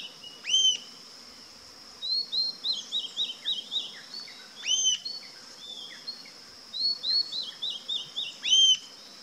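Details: Rufous-tailed jacamar giving three spaced, sharp arched whistles, separated by rapid chains of thin bouncing notes, all against a steady high insect drone.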